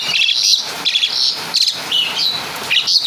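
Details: Java-native Asian pied starling singing borrowed caladi and kapas tembak phrases: a series of short, high, squeaky whistled notes and slurs, repeated roughly every half second.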